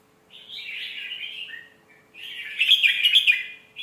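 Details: Red-whiskered bulbul singing a sweet phrasing style used for teaching young birds: a soft slurred warble, a brief pause, then a louder, richer phrase with bright accented notes.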